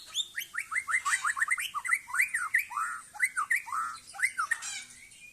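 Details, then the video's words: Aceh white-rumped shama (murai Aceh) showing off in a yard with a sail-like display: rapid string of loud, slurred whistled notes repeated steadily, each bending downward, forming a continuous rhythmic phrase. "Murai Aceh"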